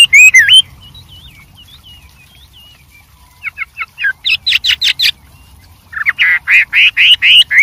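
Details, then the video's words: Wild white-rumped shama giving a varied song: a loud looping whistle, soft wavering notes, then sharp staccato phrases and a run of rising whistles. "suara Burung Wambi Gacor Variasi Banyak dialam liar"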